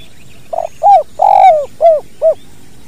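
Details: Spotted dove, a natural recording meant for training other birds, giving a clear cooing phrase of five soft, rounded notes, the middle one longest, over a quiet background.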